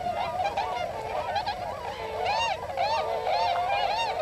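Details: Wintering flock of several hundred Tundra swans in rice fields at Hakuta, Yasugi, Shimane, Japan. Many overlapping, high-pitched nasal honks and bugling calls with wavering tones form a continuous, busy chorus.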